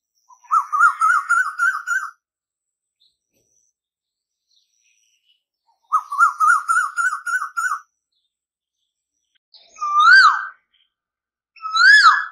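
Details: Koyal, the Asian koel, sings two quick bubbling strings of rising notes, each lasting about two seconds, then two separate loud whistles that swoop upward, in a quiet setting.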